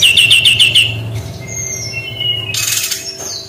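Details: Brown-chested jungle flycatcher in its unique shooting song style, opening with a fast run of about six repeated chirped notes, then thin sustained whistles at different pitches and a harsh buzzy burst, low rumble behind.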